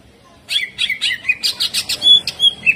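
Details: Greater green leafbird in energetic 'tembakan kasar' song: quick, rough, chattering notes repeated about five times a second, with scratchy harsh elements and a few clear high whistles mixed in.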